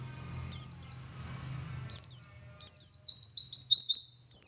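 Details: Local dakun Oriental white-eye from Garut, West Java, in ngalas wit wit style: sharp high chirps in short bursts, then a quick string of six downslurred whistles. A low humming noise sits under the opening second.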